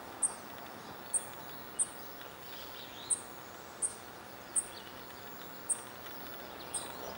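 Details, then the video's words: A dark-eyed junco fledgling begs from a railing while its parents forage, in redwoods at Guerneville, California, May 2020. Its high, thin, piercing notes come in an uneven series, a little more than one per second, over faint background hiss. "Fledgling Dark-eyed Junco calling"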